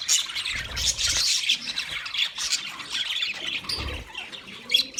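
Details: Wild budgerigars chirping, a dense wash of rapid high twitters and squawky notes from a crowd of birds, rising and falling in loudness.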